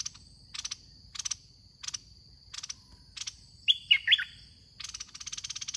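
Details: Red-whiskered bulbul during decoy trapping, a caged bird luring a wild one: short, bright whistled phrases of three quick rising and falling notes, set against loud, rapid pulsed insect trills and a steady high electronic-sounding tone.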